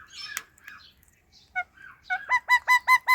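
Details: Pet rose-ringed parakeet, eating guava, making cute sounds: a few soft scattered chatters, then a rapid run of six loud, clipped, two-toned notes repeating about every fifth of a second.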